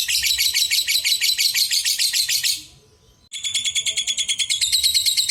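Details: Lovebird singing as a prompt for quiet lovebirds: rapid shrill chattering in pulsing bursts, a brief drop to silence at about two and a half seconds, then clearer, higher ringing notes resume.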